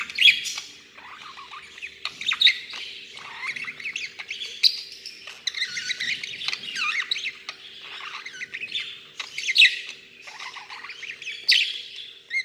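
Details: Budgerigar named Beanie, grandson of another budgie, talking away: a continuous high, scratchy chattering warble with sharp clicks and squeaks.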